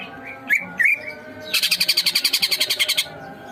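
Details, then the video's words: Greater green leafbird, singing eagerly, recorded for masteran training. Two twisting whistled phrases lead into a fast, regular burst of scratchy chatter, about eleven notes per second, lasting some one and a half seconds, then quiet hum. "masteran cucak ijo gacor"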